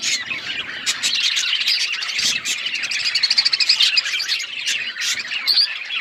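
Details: Chattering pet budgerigars, many voices overlapping in fast high warbles, chirps and raspy squawks, with a quick rhythmic run of repeated notes midway and a sharp squeak near the end.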